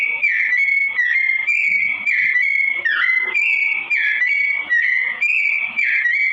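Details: Sooty-headed bulbul singing slowly, used as a tutor song for training straw-headed bulbuls: a continuous run of clear whistled notes, steady and slightly wavering, some sliding down, with faint chatter of other birds underneath.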